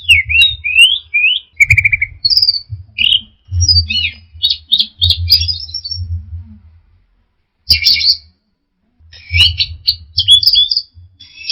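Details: Anis merah (orange-headed thrush) 'teler' song: a long run of varied rapid phrases, with rising and falling whistles, buzzy trills and sharp chips in bursts, separated by short gaps, over a constant low hum.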